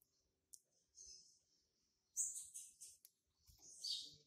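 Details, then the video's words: A young male captive double-collared seedeater, hatched March 2019, starting to mark its territory, gives high, scratchy, buzzy song phrases in short bursts with brief pauses between them. "COLEIRO PARDO QUERENDO JÁ MARCAR SEU TERRITÓRIO"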